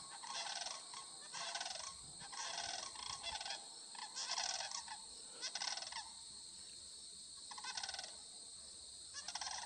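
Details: Sandhill Cranes, a flock of over 100 gathered by a cut corn field near Lindsay, Ontario, 25 September 2020; loud bursts of rattling, trumpeting calls come in waves every second or two, with a constant high insect drone behind.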